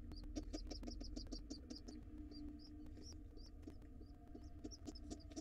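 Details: Wild pigeon chicks in a nest box beg fast for food after their father arrives, a quick stream of shrill squeaky notes about three per second, with a low droning hum underneath.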